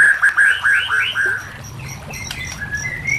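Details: White-rumped shama song used for training or luring shamas, with gurgling water: quick series of rising whistled slurs, then softer varied notes and a steady high whistle.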